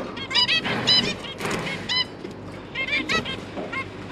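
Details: Pair of zebra finches feeding their three juvenile babies after hatching; bursts of nasal honk-like calls with layered harmonics, several notes close together, then quieter gaps with faint background hum.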